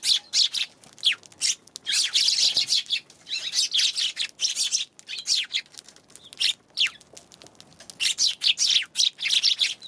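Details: Near-continuous chattering of Eurasian tree sparrows, January 11: overlapping rough chirps and chips, several birds calling in quick irregular bursts throughout.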